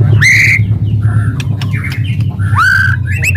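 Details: Aggressive White-rumped shama shooting song used to provoke rival shamas: loud rising whistled slurs separated by short chirps and clicks, over a steady low hum.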